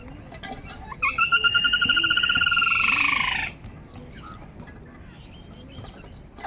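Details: Crows fighting for food, angry: one long, loud, harsh nasal call that lasts about two and a half seconds. It is rapidly pulsed with a rough buzzy texture and sags slightly at the end. Fainter chirps from other birds sound behind it.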